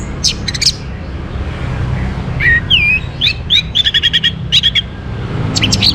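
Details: Orange-headed thrush morning song, meant to spur birds into breeding condition and constant singing. High chirps give way to a descending whistle, then a rapid, evenly spaced run of bright repeated notes over faint low hum.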